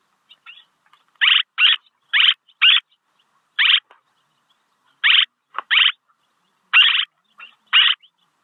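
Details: Swallow calls for luring: short buzzy rasping notes arrive in pairs and singles about once a second, with faint clicks between them and no other sounds.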